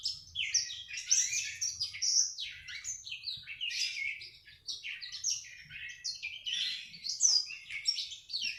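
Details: Black-throated canary being trained, chattering nonstop in ngriwik style: dense, rapid, high-pitched twitters and buzzy trills run together for the whole stretch.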